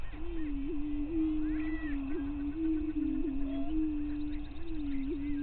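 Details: Dawn lek of greater prairie chickens, Bluestem Prairie Scientific and Natural Area, Minnesota, 5:30 a.m., May 9, 2023; continuous low resonant booming with short upward blips, distant faint cackles overhead.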